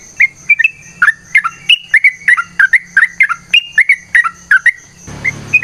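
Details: Yellow-vented bulbul in full fighting-style song with long rapid runs, used to lure birds into singing. Dense series of clear, bubbly, slurred whistles, each dipping or rising, about three per second, ending with a brief rustling noise.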